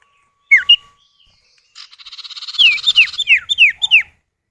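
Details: Common iora male and female answering each other: two sharp downslurred whistles, a pause, then a rising buzzy rattle overlapped by a string of five loud falling whistles.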